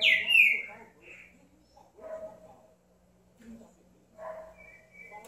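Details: Green-winged saltator gives one loud, sharply falling whistled note at the start, followed by quieter scattered notes and a faint hum in the background.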